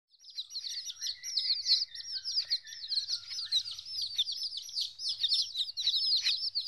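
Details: Fourteen-day-old chickens, a group of chicks separated from their mother for the first time, peep constantly in high, overlapping cheeps, with a few lower chirps early on and a faint low rumble underneath.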